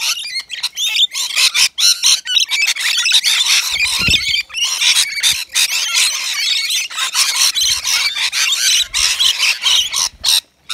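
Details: Rainbow lorikeets, native Australian birds, feeding at a balcony nectar feeder with wet lorikeet mix; a dense, continuous chorus of shrill, grating screeches and chatter from several birds, with brief gaps and faint low thumps.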